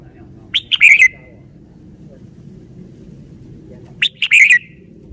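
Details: Caged red-whiskered bulbul showing its song style: two matching bursts of loud, rich whistled notes about three seconds apart, each a quick run of rising and falling slurs ending in a downward trill, with quiet low hum between.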